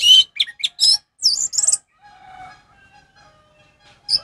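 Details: Brief orange-headed thrush ngeplong song for tutoring stalled captive birds: a few sharp high notes and a fluttering trilled phrase, then a faint low humming tone before a final chirp.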